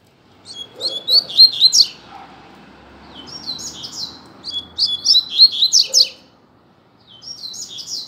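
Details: Caged Double-collared seedeater dueling in song as a tutor for young birds: repeated short, high, clipped and warbled phrases in three main bursts, each made of rapid stacked notes, with short pauses between.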